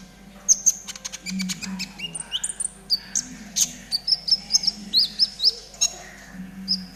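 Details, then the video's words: Konin trotol kept as a caged tutor bird, singing a lively, varied string of high thin whistles, clipped chips and quick trills, with a run of sharp repeated notes toward the end; a low steady hum underneath. "TERAPI KONIN TROTOL AGAR CEPAT BUNYI || MASTERAN KONIN TROTOL GACOR"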